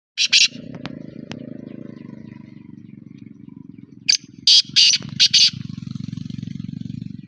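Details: Black francolin in Pakistan giving a harsh, grating phrase of about five rapid broadband notes near the end, after two short opening notes, over a steady low hum.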